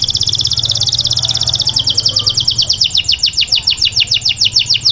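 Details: A male canary sings to a female in a rapid, rattling trill of high notes that loosens into separate downward-curving chirps, with a low background hum.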